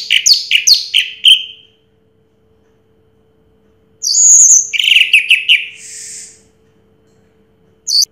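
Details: Orange-headed thrush, first-place winner in 2022, giving quick clusters of bright chirps and slurred whistles, then a long pause before another chattering, whistled burst and a final short note.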